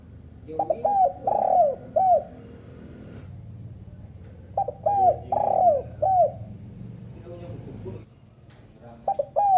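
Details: Female spotted dove giving a calling sound, in two bursts of deep, mellow coos. Each burst has a short note, a longer drawn-out falling coo, then a clipped final note. A quiet pause separates the bursts, with faint background hum.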